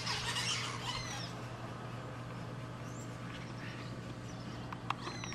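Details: Brown-throated parakeets in Paramaribo, Suriname, recorded from a bedroom, give a burst of harsh, grating squawks, then fainter scattered chirps over a steady low hum and a single sharp click.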